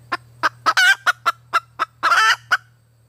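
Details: Red junglefowl hen giving a rapid series of short sharp clucks, roughly ten in three seconds, broken by two longer rasping harmonic squawks, over a steady low electrical hum.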